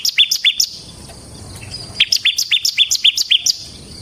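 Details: Bar-winged prinia known locally as ciblek semi, singing; a burst of five fast high notes, a pause of over a second, then a quick string of about ten sharp chips.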